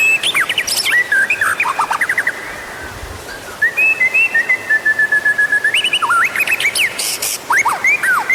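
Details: White-rumped shama song as a lure to make other birds sing; rapid chattering notes, a pause, then long level and gliding whistles and sharp descending notes.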